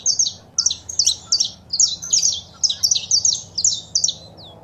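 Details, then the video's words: High, rapid chirping phrases from saffron finches, female calls mixed with male song meant to rouse a kept bird to sing, bursts repeating about every half second and ending on a short downward slur. "Foguea seu Canário da Terra com Esse Piado de Fêmea e o Macho Cantando"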